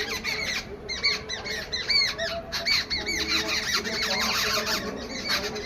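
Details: Babblers calling in an angry mood in a jungle setting, giving a dense chorus of harsh, chattering squawks with repeated arched notes, overlapping continuously among several birds.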